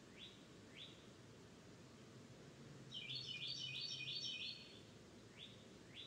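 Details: Wild bird singing in Florida, outdoors: a fast jingling trill of bright high notes lasting about one and a half seconds, with short rising chirps before and after, over a steady low rumble of background noise.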